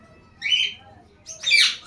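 A young cockatiel gives two harsh, raspy squawks, the second louder and longer.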